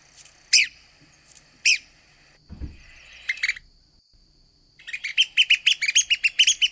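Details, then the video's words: Red-cockaded woodpecker calling: a few separate raspy notes, a brief low thump near the middle, then a rapid burst of chattering, squeaky notes running together at the end. "Red-cockaded Woodpecker Calls & Sounds"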